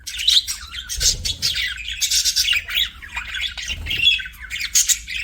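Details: Pet budgies chirping: dense, overlapping high chirps and squawky chatter from several birds, continuous with brief louder bursts, some lower rustling thumps between calls.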